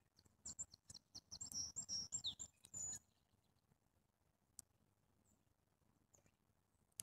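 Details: Grey-headed junco giving a quick run of thin, very high twittering notes with one sharply falling slur, lasting about two seconds, over soft tapping and rustling; quiet clicks follow.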